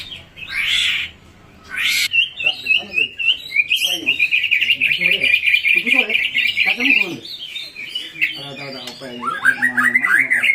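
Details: White-rumped shama song used to stir birds into answering: two harsh bursts, then a long, fast, even trill of chirping notes, ending in rising whistled phrases.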